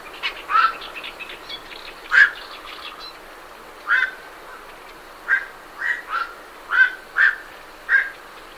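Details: Night herons leaving their roost, recorded at medium close range: a run of short, harsh croaking calls, about nine spaced unevenly over eight seconds, with great reed warblers in the background.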